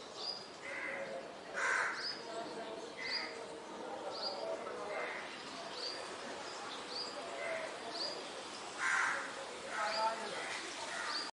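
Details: Purple sunbird (Cinnyris asiaticus), call.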